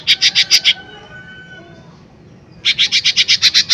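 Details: Lesser green leafbird lure song: a quick run of six loud, high chips, about two seconds of near quiet with thin faint tones, then a rapid string of about twelve similar chips.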